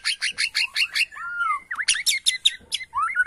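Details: White-rumped shama of Borneo, worked up by a lure recording, sings a rapid string of sharp chipping notes followed by smooth slurred whistles and a burst of high twittering.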